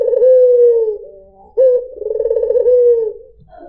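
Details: Puter putih, a white dove, coos in a lure recording. A long smooth fading note is followed by a fresh phrase that starts sharply, rolls with rapid pulses and ends in a sustained mellow hoot.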